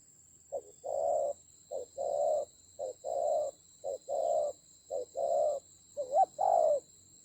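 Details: Spotted dove acting as a decoy during a fierce fight in the Central Highlands of Vietnam, 19 October 2020. It gives a regular run of seven double coos, each a brief note followed by a longer one, ending with a warbling upslurred note. A high hum persists.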